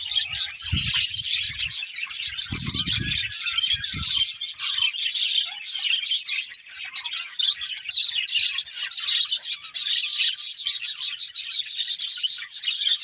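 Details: Several budgies keep up a steady high-pitched warbling chatter of quick chirps, with a few low knocks early on.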